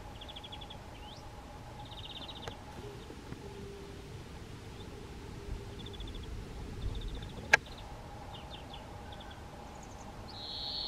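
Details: A male European greenfinch singing in Broadcroft Quarry Lane, Portland: faint, quick twittering trills ending in a drawn-out nasal wheeze, over a steady low hum and distant rumble.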